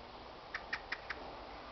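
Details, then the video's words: Eurasian blackbird calling to other birds in a local wood at Carbrooke, recorded close up: four short sharp clicking notes evenly spaced about a fifth of a second apart, over quiet background hiss. "Blackbird Calling Close-Up"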